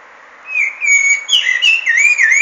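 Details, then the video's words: Loud, clear blackbird song: rich flute-like whistles that slide up and down, overlapping with higher thin squeaky notes in a continuous warbling phrase. "Feketerigó énekel"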